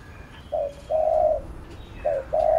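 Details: Spotted dove giving a driving coo to stimulate and train a trainee dove: twice, a short low coo followed by a longer, steady, mid-pitched coo, over faint background hiss.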